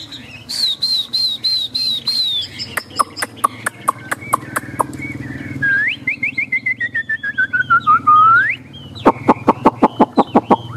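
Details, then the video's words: Caged Chinese hwamei on a rainy day: short repeated whistles, then a long series of rising slurred notes sliding lower, broken up by loud sharp clicking sounds. "Họa mi xòe, Thuần đẹp mau mỏ hót hay"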